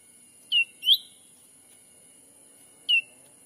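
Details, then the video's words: Black-capped bulbul lure call used to attract wild birds in a Sumatran forest: three short, clear whistled notes, the first two close together, each sliding down, the last after a two-second gap; steady faint high hiss behind. "suara asli pikat cucak ranting anti jong yang liar pasti dijamin langsung datang"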